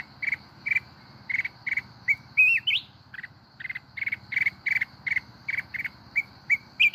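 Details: Red-whiskered bulbul, a mountain bird, singing in forest style, the local 'kít bổi' song: rapid bursts of short chirping notes, broken by a rising, warbled whistle that slides upward near the middle, over a steady high insect-like hum.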